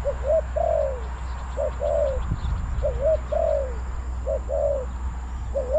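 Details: Decoy spotted dove calling wild doves at a Bang Li trapping site, repeating a three-part phrase about every 1.5 seconds: two short clipped notes then a drawn-out falling coo, with low hum beneath.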